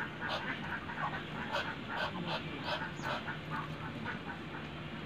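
A male Muscovy duck gives rapid, breathy hissing puffs, several per second, over a steady low rumble of background noise.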